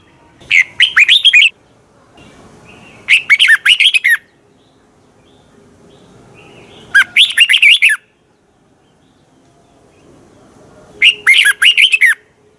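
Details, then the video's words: Fiery teacher song of a red-whiskered bulbul from Thailand, used for song training: four brisk phrases of six or seven quick, whistled chirps. They repeat about every three to four seconds, with quiet gaps between them. "ฝึกเสียงของคุณเพื่อทักทายกับยอดเพลงและร้องเพลงที่มีไฟอย่างรวดเร็ว นกกรงหัวจุก"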